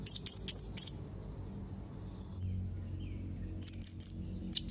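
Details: A run of four sharp, very high chirps from a young blue-crowned hanging parrot calling out to rivals, then a quiet gap, then thinner, longer whistled squeaks and one final chirp.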